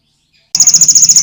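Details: Canary song kept as tutor material for competition songbirds: after silence, an abrupt loud high rolling trill of fast pulsing notes, steady in pitch, with a rough buzzy edge.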